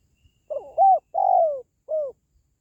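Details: Spotted dove cooing, used to lift the spirits of pet doves or draw in wild birds when trapping: a single four-note phrase of soft, hollow coos, the third long and sliding downward, the last short and clipped.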